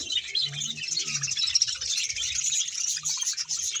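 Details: Colony of about one hundred pairs of budgerigars in Bahawalpur. Dense, continuous high chattering and warbling from many birds overlaps with no pauses, along with a faint low hum beneath.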